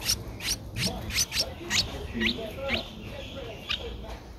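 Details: Twelve-day-old Streak-eared Bulbul chick, whose eyes opened at seven days, recorded at Ubon Ratchathani, Thailand, on 14 April 2023. About ten thin, high squeaky notes, several slurring downward, come at uneven intervals over faint background voices.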